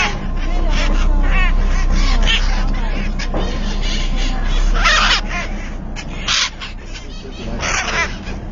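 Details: A colony of hill (pahari) parrots in a breeding setup forms a crowded chorus of harsh, screechy squawks and chattering calls, overlapping constantly over a steady low rumble.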